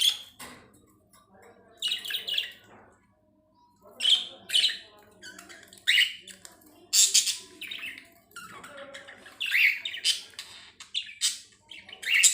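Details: Pet budgerigars chirp in bright, scratchy bursts of warbling chatter, broken by short pauses, while bobbing their heads.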